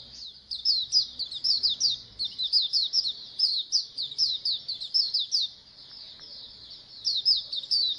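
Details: Massed white-eye (pleci) chorus meant to stimulate birds to sing: continuous stream of sharp high chirps from many birds, a quieter gap after five seconds, then chirping resumes.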